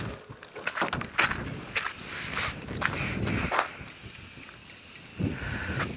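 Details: Oxpeckers at Djuma Game Reserve on a late-afternoon safari drive on 23 August 2016 give harsh, hissing rasps in short bursts, several in six seconds, over footsteps crunching on dry ground.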